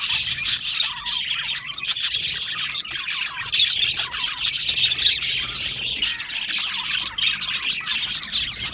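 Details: An Australian budgie colony keeps up lively, overlapping chirps and buzzy warbles, high-pitched and unbroken for nearly nine seconds.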